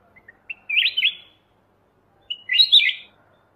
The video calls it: Black Crested Bulbul Call And Song